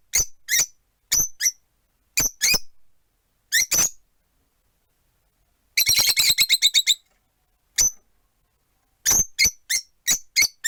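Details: Four caged rosy-faced lovebirds beside a window, one on a perch, making shrill paired chirps in irregular bursts, with a rapid rattling series of about nine notes midway, then quick chirps again.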